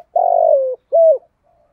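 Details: Spotted dove in giọng thổ song: a long, rough, gradually falling coo followed by one short, clear, arched note, then silence.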